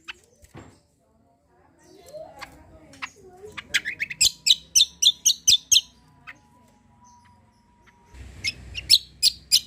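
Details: Cucak kombo singing actively in full rapid bursts, used to prompt other birds to sing: scattered clicks, then a fast series of about ten sharp high chirps, a low steady hum, and a final burst of chirps.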